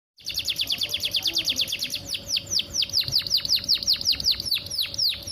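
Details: Female canary calling to a male, meant to bring him into breeding condition and singing: a rapid run of high, sharply descending chirps repeated steadily at nearly two per second, with faint background noise.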